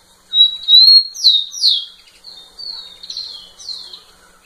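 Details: Rufous-collared sparrow singing to a female: a bright level whistle, two loud falling slurs, then quieter level and down-slurred notes fading out.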